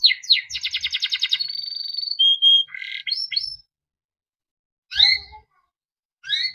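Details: Timbrado canary, yellow, delivering a rapid rolling trill, then a held whistle and buzzy notes, followed by a pause and two isolated sharp chirps.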